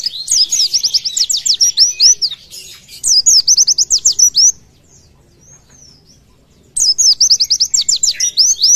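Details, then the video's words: Oriental white-eye delivering a tembakan song meant as masteran to train other birds: three energetic bursts of rapid, high, down-sweeping whistles with a near-silent interval of about two seconds before the last burst. "Pleci tembakan mewah"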